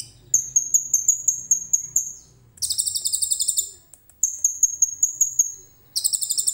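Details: Song of a common iora packed with cililin-style material, phone recording: a level series of sharp high whistled notes, then dense rattling trills, a brief pause, and more bright whistled runs and trills.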